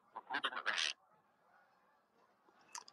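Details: A giant flock of about 200 Canada geese flying over a house gives a quick cluster of loud, nasal honks, then a quiet stretch before one fainter honk near the end; geese described as leaving or coming back.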